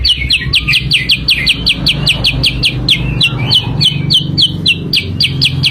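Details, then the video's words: Sooty-headed bulbul lure song used to attract birds: rapid run of short, bright, downslurred chirps, about three to four per second, with faint background rumble. "kicau pikat burung kutilang sutra"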